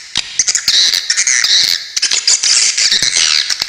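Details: Swiftlet calls recorded as a tutor track for training songbirds, with sharp 'besetan' notes: dense, continuous high chattering of rapid buzzy chirps and clicks, steady and unbroken.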